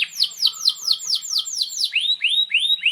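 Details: Long-singing canary, used as a model for training young canaries: a quick run of steeply falling whistled notes, about four per second, changing to rising upslurred whistles.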